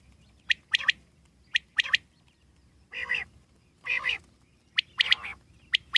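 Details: Common quail in the wild: crisp three-note phrases of sharp high clicks, alternating with two longer, harsh wheezy notes at about one-second intervals, over faint low background hiss.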